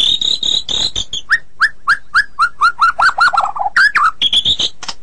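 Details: White-rumped shama song used as a training recording for songbirds: a few steady high whistles, then a rapid series of descending slurred whistles speeding into a rolling run, closing with high chirpy notes.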